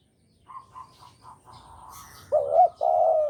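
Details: Spotted dove of the Javanese type, played as a trapping lure: a run of soft, evenly spaced low notes, then a loud wavering coo and a drawn-out steady coo near the end.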